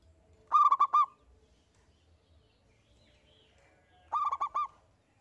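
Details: Zebra dove of local strain singing strongly in the single 'engkel' style, as bait to set other doves singing: two crisp phrases of four quick coos about 3.5 seconds apart, with near silence between.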